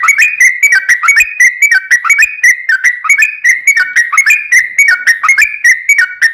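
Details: Long, unbroken 'ropel' song of a Yellow-vented bulbul, used as a lure to make other bulbuls sing back: a continuous run of fluty, slurred notes that rise and fall in quick succession.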